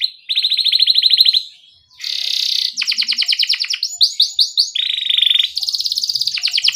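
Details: A canary sings a 'ngerol jeda' rolling song used as a lure for young canaries. Varied phrases follow in quick succession: steady pulsed trills, a brief pause, a buzzy burst, rising sweeping chirps, and more rapid trilling.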